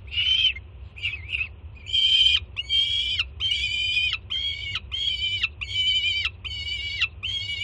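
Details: Young peregrine falcon at a Jersey City nest screaming excitedly as its first-time mother arrives with food in the morning. A few short broken squeals build into a regular run of drawn-out, grating screams about every three-quarters of a second. A low background hum is present.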